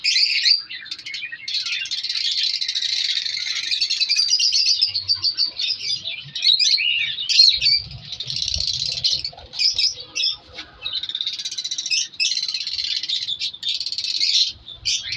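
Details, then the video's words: Winter breeding colony of colour African lovebirds in an aviary, a long stretch of constant high-pitched twittering and shrill chattering from many birds, rising and easing in waves, with occasional faint low noises. "Breeding Progress Colour Love birds |African love birds colony Update"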